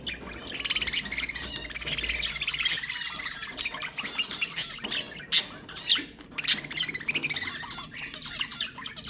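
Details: Budgerigar warbling used to stimulate mating: a long, dense stream of overlapping chatter and squawks, steady throughout, with louder harsh peaks scattered across it.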